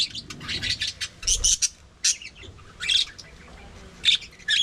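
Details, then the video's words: Budgerigars kept in an aviary colony give short bursts of sharp high chirping warble separated by brief quiet gaps, with low thuds underneath. "budgie parakeet talking"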